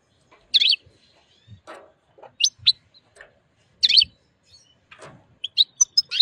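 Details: Wild European goldfinch, excited and mating with a white female canary, giving scattered bright high chirps and short twittered bursts between pauses, with soft low thumps and rustling from movement.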